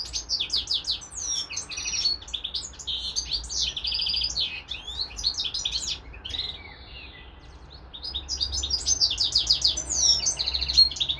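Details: Pet European goldfinch alongside a serin-canary hybrid, giving bursts of twittering song with buzzy trills and whistled slurs. A quieter stretch in the middle is followed by loud renewed chattering.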